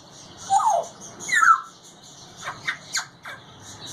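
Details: Grey parrot kept in a cage, vocalising: two loud rising and falling squawks, then four short sharp chirps in quick succession.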